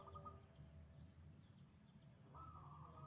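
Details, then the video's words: A wild zebra dove sings vigorously. A trilled cooing phrase fades out early, and after a pause a new rising note flattens into a long rolling trill. A faint steady high whine runs throughout. "PERKUTUT LIAR GACOR"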